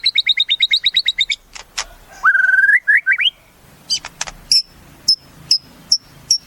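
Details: Caged white-rumped shama with a quick series of doubled chirps, a sustained whistle, then rising slurs followed by evenly spaced, sharp high notes.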